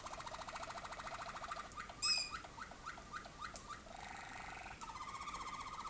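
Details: Waterslager or malinois canary, a father and tutor bird in North Canton, Ohio, USA, sings 'water tours' for 2011 youngsters in darkened training cages: a low bubbling roll, short dropping notes, then a steady rolling trill.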